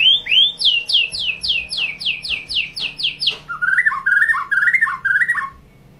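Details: White-rumped shama singing 'tembakan' style: a fast run of about a dozen identical down-slurred whistles, then lower, warbling rolling phrases repeated several times before the song stops.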